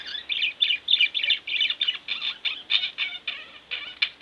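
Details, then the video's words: Domestic budgerigars, a pair kept at home, in busy warbling chatter, rapid bright chirps run together at about three notes a second, slightly scratchy. "Budgie Birds Extravaganza-Relax With My Budgies"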